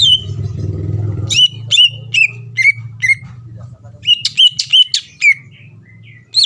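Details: Greater green leafbird lure song for provoking rivals: sharp whistled notes dropping in pitch, repeated roughly every half second, over a steady low engine-like rumble strongest at the start.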